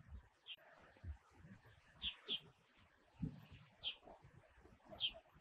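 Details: High, brief chip notes from a Red-bellied thrush in Taiwan during winter passage, one double and several single, spaced about a second apart over low background noise.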